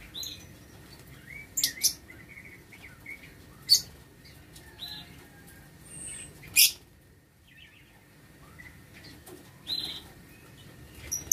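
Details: Lovebirds kept in an aviary breeding cage, recorded 6 November 2022: scattered sharp, shrill screeching chirps in short bursts several seconds apart, with a quieter high twitter between them and a low background hum.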